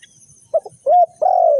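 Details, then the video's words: Spotted dove used as a trapping lure, giving a quick soft double note, then a rounded coo and a drawn-out, gently falling coo, loud and near. "The Sound Of A Spotted Dove is very good"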